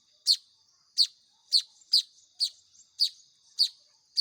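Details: Hand-fed manyar weaver nestlings: eight shrill, high chirps in quick succession, about every half second, with tiny soft notes between.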